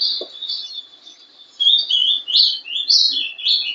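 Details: Short stretch of a ringed young captive Ultramarine grosbeak, hatched 11/12/2012, singing the Paraná sobe e desce style: a thin high whistle, then loud slurred notes leaping up and sliding down, four or five in two seconds.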